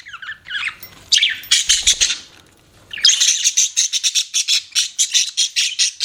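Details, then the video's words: Budgerigar chirping: a few rising whistled squawks, a pause, then a fast regular series of buzzy clipped chirps about four per second. "BUDGIES CHIRPING SOUND"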